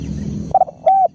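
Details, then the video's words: Spotted dove in full, active voice giving two quick clipped coos followed by a single longer, level, hollow coo, over a low background rumble. "bunyi tekukur gacor"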